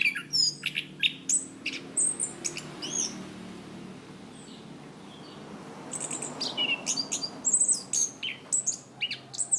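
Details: Orange-banded thrush, kept as a cage songbird, on a training recording for cage birds: rapid varied chirps, whistles and high buzzy notes in bursts, a quieter gap in the middle, then a dense run of sharp high notes.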